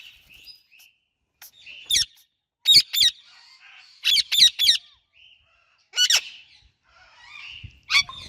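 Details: Indian ringneck parakeet chirping with an Alexandrine parakeet, both pets: harsh, piercing squawk-chirps in pairs and triplets, about one cluster every one to two seconds, with soft murmuring notes filling the gaps.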